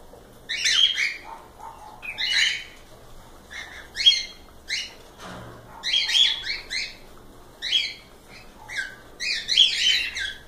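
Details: A group of cockatiels chirping almost continuously with rough, buzzy, rising and falling notes in clusters, lively and overlapping.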